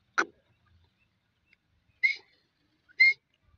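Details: Female grey francolin calling: one sharp, broadband clipped note, then two short, bright, harmonic notes about a second apart, each well under a second long, with quiet gaps between.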